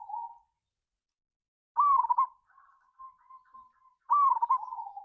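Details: A lure recording of a local zebra dove singing ngayer kerot nutut to rouse other doves: soft mellow coos, a strong rolling phrase with quick trilled notes, a long quiet sustained coo, then another rolling phrase.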